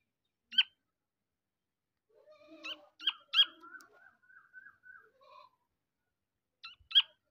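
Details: Black francolin chick calling: thin high peeps and chirps, several sharp clicks, a brief run of short level notes in the middle, then two more sharp chirps near the end, in otherwise quiet surroundings.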